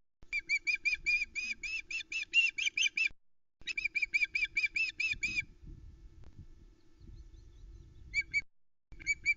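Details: Osprey female on the Loch Arkaig nest, 2 July 2020, fish-calling in indignation as the male departs with a trout; two long strings of rapid shrill piping whistles, then rustling and scattered short calls over a low hum.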